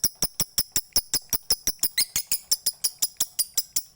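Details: Lovebird from Bali in a masteran recording for training or luring other lovebirds, delivering a long ngekek ngetik chatter: rapid, evenly spaced clicking chips about four per second, high and sharp, briefly overlaid by a squeakier phrase midway.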